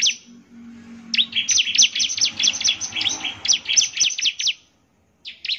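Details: Bar-winged prinia (ciblek), an energetic singer played to make other prinias respond: after a quiet start, a rapid run of shrill, bouncing high notes for three seconds, a brief silence, then a few notes again.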